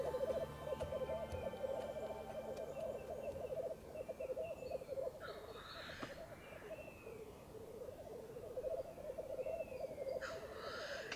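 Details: Black Grouse, several blackcocks (at least five or six males) lekking at dawn on a frosty, windless bog at -6 °C, heard from a hide: continuous low bubbling chorus with two loud hissing rushes; faint steady tones early on.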